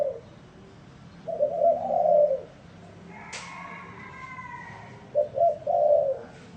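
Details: Spotted dove with an unusual coo: a long, drawn-out low hollow note, a pause with a brief rising harmonic whine and a click, then a short stuttered coo and another long one.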